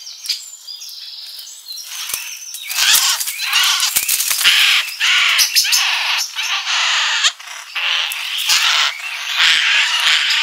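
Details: Birds at a feeder in a summer garden: harsh, raspy, broadband calls come in loud overlapping bursts. Some are drawn out, others clipped, with short gaps of quieter chatter.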